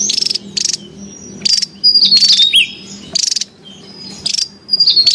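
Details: Wild Javan tesia, noisy and used to lure and train birds: harsh buzzy bursts about every second, alternating with thin, high whistled notes and sweeping twitters.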